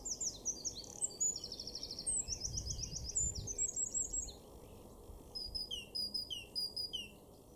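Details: Eurasian wren in a garden in Weener, Ostfriesland, northwest Germany, April 2024, bursting into loud, high, rapid song of sharp notes and fast rattling trills, two phrases about four and two seconds long, over a low outdoor rumble.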